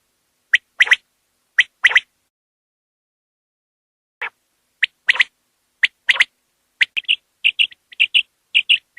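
A Common Quail gives sharp, liquid three-note calls, a single note then a quick pair, repeated every second or so, then a faster run of clipped notes. The background is otherwise quiet.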